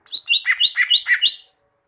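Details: Song of a caged greater green leafbird for teaching birds to sing: a rapid string of about eight rich, slurred whistles alternating high and low in steady rhythm.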